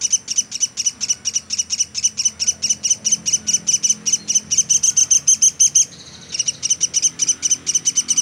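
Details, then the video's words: Platuk sampit woodpecker giving its nonstop tutor-recording calls: long even runs of sharp, high chirps about four to five per second, broken once by a half-second gap. "Burung Platuk sampit dasyat bunyi nonstop"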